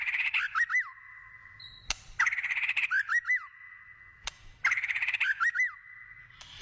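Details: White-rumped shama singing in the wild, repeating one phrase about every two and a half seconds: a buzzy rapid burst followed by two or three looping whistled notes, over a steady high whistle.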